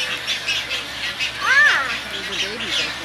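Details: Tricolored heron in Florida, 2014, around nesting and chick-feeding, giving one arched, rising-then-falling nasal call, then softer short notes, over a steady rushing hiss.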